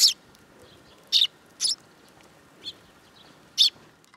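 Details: A few scattered short high chirps from young sparrows that perch on a hand at a shrine, recorded in July 2022, over a low steady background hum.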